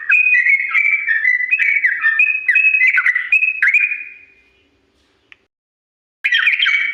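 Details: Yellow-vented bulbul pouring out quick whistled chirps in its long, slow ropel song for imitation training, trailing into a held tone, near silence, then a fresh burst.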